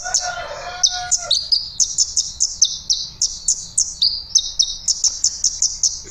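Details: Olive-backed sunbird, a songbird-contest bird, sings loudly as an example of clear, ringing volume: a rapid series of high, sharp, clear notes about three per second, steady and ringing, after a brief mix of voices at the start.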